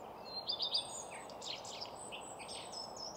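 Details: Common redstart in song at Nysved in Norra Järvafältet, recorded in mono with a Sennheiser mic and Zoom F6: a loud cluster of sharp, high chirps near the start, then softer scratchy notes, with high whistles of other birds behind.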